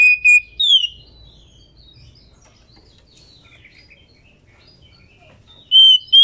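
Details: Female White-rumped Shama, said to be in breeding condition and calling males, a sound used to stir a male to sing. Short bright whistles and a descending slurred note open, then silence, then two more clear whistles close.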